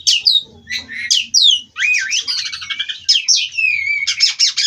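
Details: Oriental magpie-robin bred in captivity, rolling its song without pause: sharp high whistled notes and steep downslurs open into a dense, continuous run of varied chattering trills and sweet glides.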